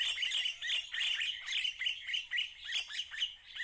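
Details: Red-winged starling calling in a garden in Pretoria in January 2024: harsh, squawky, down-slurred chattering notes repeated in bursts roughly every half second to second.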